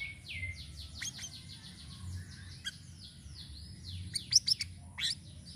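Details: Lively Sirisiri song for luring birds, showing its varied voice: a run of high descending whistled slurs, scattered clicks, then a quick cluster of sharp bright notes near the end, against steady low rumble.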